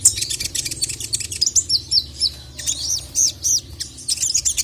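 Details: Sogok ontong (sogon) sunbird, a caged songbird training recording, agitated and calling a male: rapid, very high chirps and short, arched whistled notes in dense bursts, with a low background hum.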